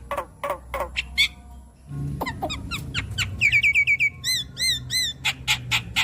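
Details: Javan myna singing with varied mimicry fill-ins as therapy for stressed birds: rasping bursts and short chatters, then high clear whistled notes repeated in quick succession, arched and ringing, mixed with brief harsh calls.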